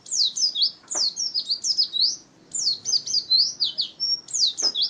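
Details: Pet pleci, or white-eye, singing rapid twittering phrases of high, squeaky down-sweeping notes, one short steady whistle among them, with a pause before each new burst.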